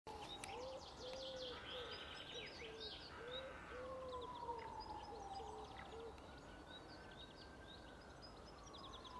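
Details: Common wood pigeon at Žale cemetery, Ljubljana, on 16 March 2023: soft, hollow low coos repeat in a steady rhythmic phrase, with busy chirping of smaller birds and a long whistling tone behind.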